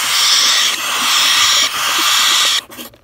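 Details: Very young, noisy cockatiel chicks in the nest, offspring of pearl parents, give three harsh, hissing rasps, each close to a second long and run nearly together, before the nest falls quiet.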